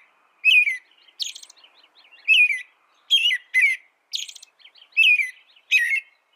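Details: An American robin sings separate caroling phrases, clear slurred whistles mixed with high, thin, scratchy notes, spaced by short gaps of about half a second; a clean recording with nothing else audible.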